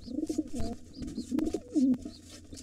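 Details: A white father pigeon battles a gray intruder at a nest with two nestlings, both birds wild. Deep, bubbling coos come in quick rolling phrases, punctuated by sharp knocks and faint high peeps.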